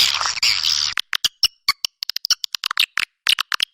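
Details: Swiftlet calling sound used to attract swiftlets: a second of dense hissy noise, then a quick irregular run of short, sharp, high chirps, about twenty in under three seconds, with brief silent gaps.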